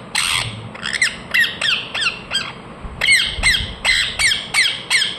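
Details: Ring-necked parakeet, kept as a talking parrot, chirping: sharp, high, downward-sweeping chirps, about a dozen in five seconds, given in short bursts with brief gaps between them.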